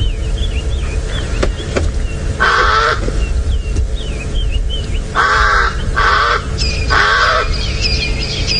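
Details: A crow, considered a pest here, arrives at a sunrise game drive (7:14 AM, 28 Aug 2017) in Djuma, Sabi Sand, South Africa, as nervous hyenas bolt. It gives four harsh, nasal caws about a second or two apart, over thin whistling bird calls and engine and wind rumble.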